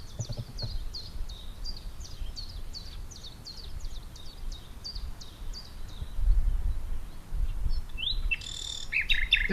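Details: Common nightingale song in Portugal, recorded by day so other birds sing in the background; it sings all night in April–May: a high, sharp note repeated about twice a second for five seconds, then a harsher burst, over a low rumble.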